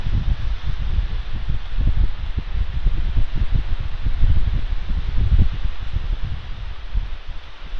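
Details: Outdoors, gusty wind buffets the microphone with low rumbling and rustling, and no animal voice is heard.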